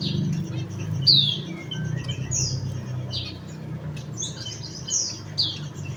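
Javan munia giving thin, high, slurred descending chirps, scattered every second or so, over a steady low rumble of background noise.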